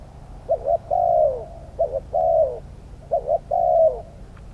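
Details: Spotted dove in a trap-cage decoy session with wild mid-voiced birds: three clear phrases, each a quick double note followed by a long drawn, slightly falling coo, against a quiet background.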